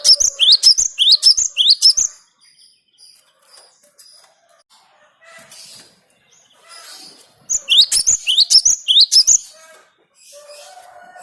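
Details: Song of a cinereous tit meant for luring birds: a rapid train of ringing, rising whistled notes, a stretch of soft scattered chirps and rustling, then another similar burst of repeated notes.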